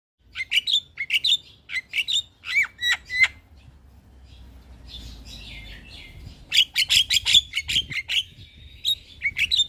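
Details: Javan myna singing in the morning, a master recording for training caged birds: bursts of sharp whistled and chattering notes, some rising and falling, in rapid series with a short quieter gap midway.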